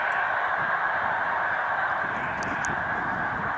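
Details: Snow Geese in large flocks at a spring migration rest stop on Cayuga Lake, New York, 20 March 2021. Countless overlapping nasal honks merge into a steady, unbroken roar, with a few faint clicks above.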